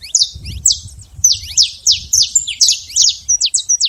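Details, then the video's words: Saffron finch living free in the wild delivers bright downslurred chirps with buzzy tails, spaced roughly every half second, then quickening into short sharp notes at the end; low rumble beneath. "canário da terra livre na natureza"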